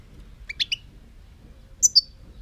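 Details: European goldfinch producing a quick trio of twittering notes, then after a pause a high, clear two-note chirp falling in pitch, with little background noise.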